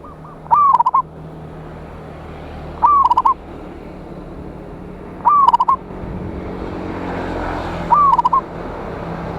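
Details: Local zebra dove singing loudly to call rivals: four phrases about every two and a half seconds, each a rising note followed by a fast rolling burst of short coos, over a low steady hum.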